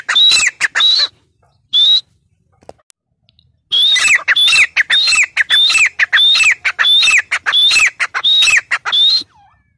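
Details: Grey francolin calling in loud, harsh, repeated notes, each with a short high whistled element and a buzzy lower part. A brief burst comes first, then a pause, then a steady run of phrases at about one and a half per second.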